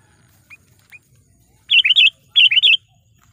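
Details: Sooty-headed bulbul lure call meant to provoke wild rivals: two soft single chips, then two loud, bubbly warbled phrases of several quick notes, low background hum.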